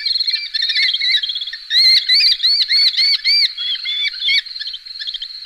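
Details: Red-footed falcon calling, recorded in 2021: a fast run of shrill, ringing notes with arched pitch, some short and some stretched into louder squealing bursts. Several notes come per second with uneven spacing. No other clear sounds are heard.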